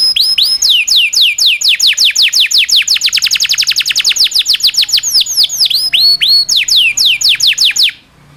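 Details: Training song of a domestic canary: an extended roll of sharp downward chirps that accelerates into a tight rattle, then opens into slower curved whistles before cutting off abruptly.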